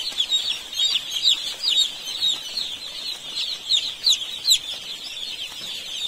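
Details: A crowd of young chicks on a poultry farm in India producing constant shrill peeping, overlapping high chirps with irregular louder bursts throughout.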